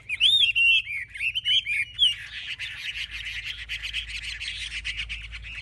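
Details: Caged Chinese hwamei, a fierce fighting bird, displaying with raised wings and a spread tail: loud clear looping whistles at first, then a long rapid buzzy, scratchy chatter sustained to the end.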